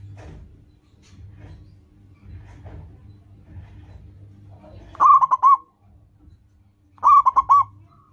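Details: Loud-singing local zebra dove, a lure for caged birds. About five seconds of faint murmuring background precede two crisp rolled coo phrases, two seconds apart.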